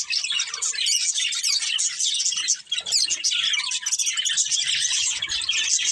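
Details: Budgerigars, a breeding pair and family, keep up loud, unbroken warbling chatter of high chirps and squeaky whistles, dipping briefly before resuming.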